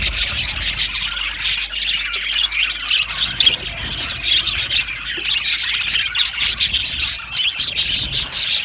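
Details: Budgerigars from an Australian budgie aviary colony keep up steady, hissy, high-pitched chattering throughout, many voices blending into a constant twittering buzz.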